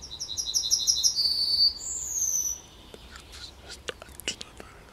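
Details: Yellowhammer song from the edge of Kabaty forest: rapid, high, evenly spaced chipping notes ending in a long drawn-out note, followed by scattered faint clicks and soft chirps from other birds.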